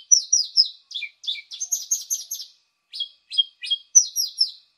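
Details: Paddyfield pipit calls played as a bird-trapping lure: a rapid series of short, sharp, descending chirps and buzzy notes, grouped in bursts with brief gaps, some notes sliding downward.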